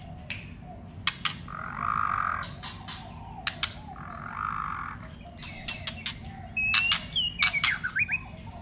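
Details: White-rumped shama during contest song training: bursts of sharp clicks alternating with two harsh buzzy stretches, ending with quick whistled upslurs and a dipping note.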